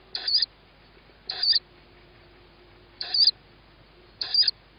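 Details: Young tawny owl hearing its mother before being fed, 21 May 2017 in the evening; four loud, harsh, hissing screeches spaced about one to two seconds apart over near silence.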